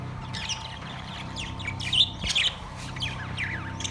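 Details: Caged budgerigars, Australian parrots, recorded September 3, 2023, giving scattered thin chirps and short warbled notes, with a few louder squawky bursts near the middle over a steady low hum and a faint continuous tone.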